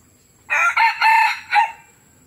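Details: A young male red junglefowl at Tha Som, Udon Thani gives a short, clipped crow of four quick harsh syllables in about one second, ending abruptly; the background is otherwise quiet.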